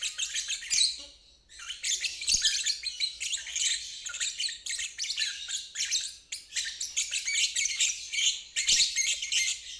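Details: Ngeriwik trill from a lovebird, used as therapy for stalled birds and young birds learning it; fast scratchy high chatter running almost continuously, with a brief lull near one and a half seconds.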